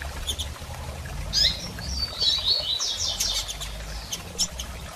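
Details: Female double-collared seedeater soliciting mating, giving thin high chirps and short twittering notes in the middle seconds over a steady low background hum.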